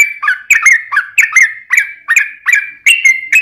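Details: Trucukan, the yellow-vented bulbul, in a lure song to prompt other birds: short, bright warbled notes with a sharp click onset and a downward slur, about three per second.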